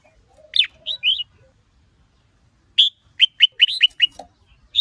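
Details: Red-whiskered bulbuls, a female exciting a male into spirited 'ché' singing. Three slurred whistles are followed by a pause, then a fast chattering string of about eight bright notes and a single closing whistle.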